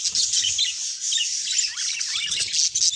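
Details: Two pet budgies singing and talking, an unbroken high-pitched twittering warble mixed with thin whistled squeaks and raspy chatter, steady in loudness, soft thuds in the background.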